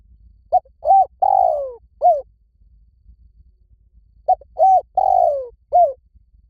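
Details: Spotted dove of the Thai 'liu tan' cooing style, recorded for playback to make a trained dove coo back: two phrases of short clipped coos around a long, drawn-out falling coo, separated by about two seconds of quiet.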